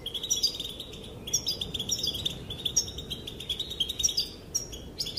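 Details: Calls of a female European goldfinch, said to make males dance: sustained high, tinkling twittering in phrases of a second or so, with quick rising chirps between them.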